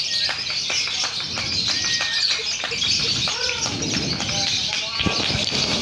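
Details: Lovebirds at a contest simulation, used to accustom young birds to competition, chatter in a dense, shrill stream of high twittering, with human voices counting down underneath.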